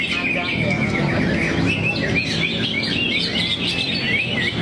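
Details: Greater green leafbird in full song, mixing fast chattering with clear rising whistled notes repeated several times, against steady low background noise and soft talk.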